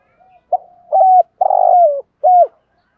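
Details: Insistent cooing of a native spotted dove, meant to provoke wild males; one low phrase: a brief soft note, a sustained level coo, a grainy burred coo sliding downward, then a short arched note.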